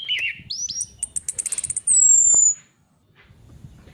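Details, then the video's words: Female orange-headed thrush used as a lure: a warbled opening, then a rapid run of about ten sharp, high ticking notes leading into one long, drawn-out, falling high whistle, followed by quiet. "SUARA PANCINGAN ANIS KEMBANG BETINA PANCINGAN EFEKTIF ANIS KEMBANG NGEPLONG GACOR DIJAMIN BIKIN EMSI"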